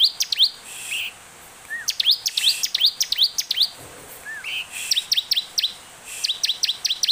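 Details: Olive-backed tailorbird song played as a lure for other birds: clusters of bright rising chirps, several short groups with pauses, plus a few soft lower curling notes.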